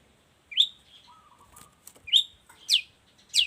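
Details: A long-tailed shrike, kept as a song tutor for other shrikes, sings sharp high downslurred notes spaced irregularly, with a soft low whistled phrase between them.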